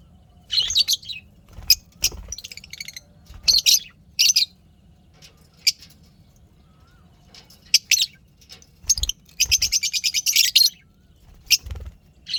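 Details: Cheerful pet lovebirds: irregular high, scratchy chirps and short chatter bursts scattered throughout, with a longer fast twittering run near the end.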